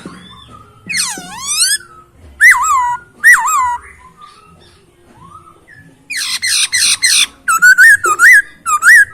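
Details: Masked laughingthrush song, described as clear and rich: bursts of loud, slurred whistles that swoop and wobble, some sliding downward, with a quiet gap before a final run of quick, bright, repeated whistled phrases.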